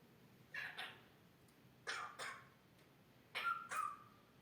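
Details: Captive grey parrot imitating a human cough: three short, harsh, noisy bursts at roughly 1.4-second intervals, the last ending in a brief whistled tone, in a quiet indoor setting.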